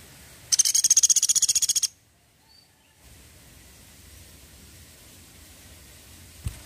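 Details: Woodpecker, Indonesian 'pelatuk sampit', in a 'tembakan' burst: a quick series of high, clipped notes rattled off for about a second and a half, followed by silence and faint low background rumble, with one soft knock near the end.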